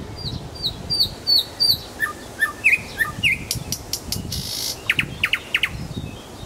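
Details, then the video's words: Nightingale singing in Kuzminki forest park: varied phrases of repeated high whistled notes, then a run of sharp V-shaped notes, a burst of dry clicks and buzzy noise, and closing rising whistles. "Голос соловья"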